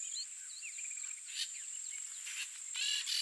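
Blaze-winged parakeets give harsh, scratchy screeches in short bursts over a steady high insect drone, with thin chirps and whistles from other small birds.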